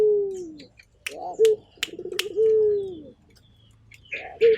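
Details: Barbary dove, the Indonesian local puter, giving deep cooing calls: a long, smooth, slightly falling held note, a burbling rolled coo, and a brief rising tail, with a few sharp clicks.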